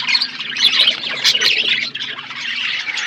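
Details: Aviary budgerigars in a forest environment: dense, squeaky chirping and short squawks tumble over each other, dipping briefly before resuming at a steady level.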